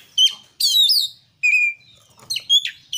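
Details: Short burst of kacer (Oriental magpie-robin) song for use as a singing lure: a loud buzzy swept phrase, a drawn-out clear whistle, then quick bright notes.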